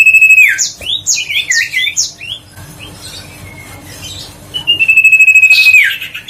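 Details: Huyt co bird singing loudly, used to lure and excite other birds: a long level whistle breaks into quick, scratchy, repeated up-sweeping notes, then quiet, then another sustained whistle that dissolves into chattering.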